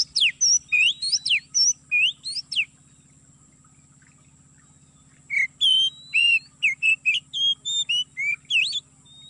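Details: Oriental magpie-robin lure song used for trapping in an oil palm plantation: bursts of loud, varied whistled notes, some rising and some falling, in two rapid runs separated by a pause, over a steady high electronic tone.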